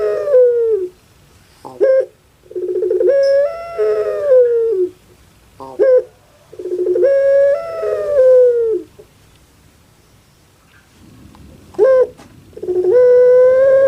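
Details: Kept puter pelung dove calling again and again: stuttering starts leading into long, slightly rising then falling coos reminiscent of a crying baby, with sharp short notes between and a soft hum before the last phrase.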